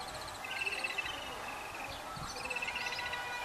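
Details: Chicks of yellow-billed babblers being fed by adults: quick trains of harsh, evenly spaced notes, overlapping voices in a continuous chatter, with faint low-pitched background noise.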